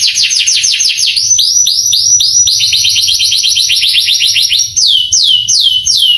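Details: Canary song for stirring young canaries to answer: a run of rapid downward-sweeping chirps, changing speed in phrases, ending with slower, spaced whistled sweeps.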